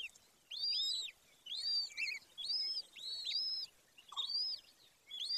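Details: Golden eagle at nest number 1 in Bucovina, Romania, Carpathian Mountains, 18 May 2024 at 14:19, nest of a female and male pair: high thin arched whistled notes, often in pairs, repeated about once a second over a quiet background.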